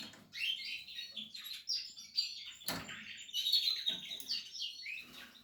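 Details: Nestling canaries of the Portuguese harlequin type calling from their nest with dense, high, squeaky cheeps in overlapping bursts, a sharp click or rustle near the middle, and the chatter rising and falling throughout.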